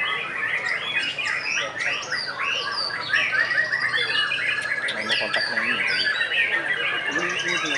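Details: White-rumped shama competing in a Pekalongan singing contest: rich varied song of looping whistles, sharp chips and rattling trills, many birds at once, louder and denser after the midpoint, faint voices behind.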